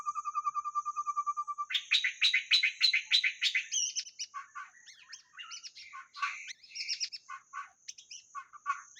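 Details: White-rumped shama song used as a lure: a fast even trill of repeated notes, then a loud run of rich sharp notes, then varied short whistled and scratchy phrases, with a steady high drone.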